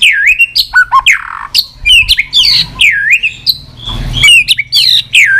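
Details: White-rumped shama singing 'tạch' style, meant to fire up a weak bird: loud swooping whistled notes that dip and rise, separated by short clicks and snaps, with a faint low hum behind.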